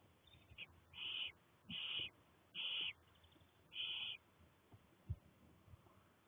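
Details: Six young barn owl chicks in daylight on 1 May 2020, still fairly newly hatched with little fluff. Four harsh, breathy hisses, each about half a second long, come roughly a second apart over a low background rumble.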